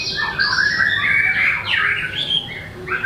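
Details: White-rumped shama pouring out a rich, continuous song of slurred whistles and squeaky chattering notes, busy and unbroken.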